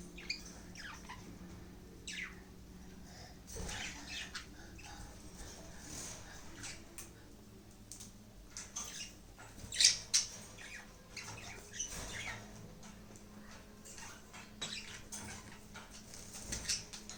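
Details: Budgerigars before bedtime chatter softly with quick, scratchy chirps and squeaks over a low steady room hum.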